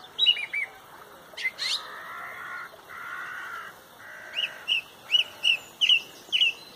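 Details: Amid a sunrise dawn chorus in Pontrobert, a song thrush gives sharp high whistles repeated five times about every third of a second, after softer broad calls from other birds in the background.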